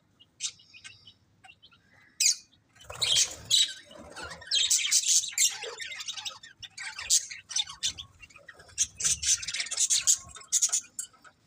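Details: Several budgerigars chirping in lively, overlapping bursts of high, raspy warbles and squeaks, with short gaps between busy stretches.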